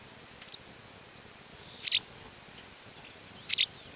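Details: White wagtail in León's mountains, Spain, May 2019, giving brief high, slightly buzzy call notes: a faint one, then two louder ones about one and a half seconds apart, over low steady background noise.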